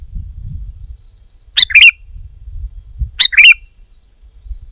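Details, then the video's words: A sooty-headed bulbul, noted as a strong singer, delivers a crisp two-part phrase twice, about 1.5 seconds apart: a sharp note then a short rippling, fluty warble, with quiet low noise underneath. "Kicau Burung Kutilang Gacor"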